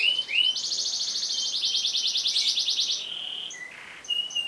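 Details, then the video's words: Canary song meant to train other birds: a long, dense, buzzy high trill held for about two and a half seconds, then scattered short whistles. "MASTERAN KENARI NGEROL PANJANG"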